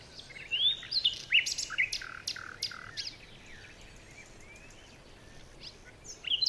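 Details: Morning forest birdsong, with quick high chirps and short whistled slurs clustered in the first three seconds, then a quieter stretch with a few faint notes and a fresh burst of chirping at the end.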